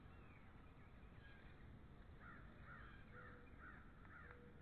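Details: Bald eagles, one of a pair watched at NCTC on 13 February 2013, give a run of short, evenly repeated mid-pitched notes over steady low rumbling background noise.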